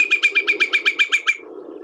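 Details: Whimbrel on spring passage (late April to early May), with its distinctive call: a rapid, even run of about ten clear, high piping whistles, roughly eight per second, over a faint low background hum.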